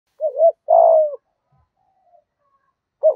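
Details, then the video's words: Spotted dove in the 'giọng thổ' gù thúc cooing style, played to lure wild doves: a short, low, hollow double coo, the first note wavering, the second drawn out and falling, then a new phrase begins at the end; otherwise quiet. "Tiếng chim cu gáy giọng thổ Gù Thúc giọng hay, tiếng thổ hạp bổi nhanh về cội"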